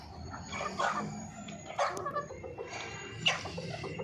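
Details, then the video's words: Hen clucking, giving three short harsh bursts roughly a second apart, each broad and noisy, with a steady low hum in the background. "hen sound effect"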